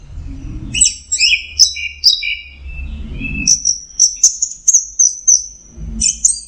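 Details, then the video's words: Anis merah, the orange-headed thrush, singing a clear, loud song of the 'teler' style: quick bright whistled notes and short slurred phrases, ending in a rapid string of high sharp chirps, low hum underneath. "Suara Burung Anis Merah Teler"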